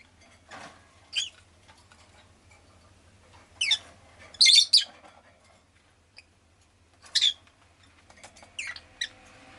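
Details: Pet rosy-faced lovebird indoors giving short harsh chirps in scattered bursts, a double squawk near the middle and several sharp notes later, over a faint low hum; the recording is stated to include street noise such as engines and bicycles.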